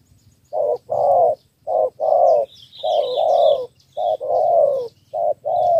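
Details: Spotted dove from Ca Mau, Vietnam, cooing in 'thổ 3 âm' three-note style to draw in wild field doves. Deep paired coos repeat about every second, with soft high twittering of other birds behind.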